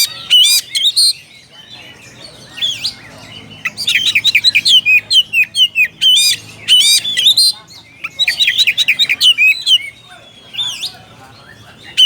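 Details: Oriental magpie-robin calling a rival with bright, rapid bursts of whistled and twittering notes, separated by short silences, each burst a quick sequence of sharp high chirps.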